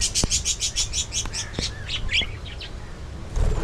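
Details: Aviary colony of budgerigars: a rapid series of about ten evenly spaced high chirps, followed by softer, twisting warbled notes and a few clicks, with low background noise.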